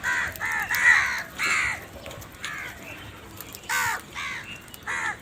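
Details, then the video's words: Crows give loud, hoarse caws in quick bursts of two or three, the harsh notes repeating about every second with brief pauses. "Very loud voice of Crow sound - All And Huge types of crow sound | Crow Sound Loudly"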